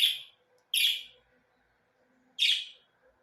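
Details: Budgerigars uttering three quick, harsh chirps within about three seconds, the first two close together and the third after a short pause, over a faint hum.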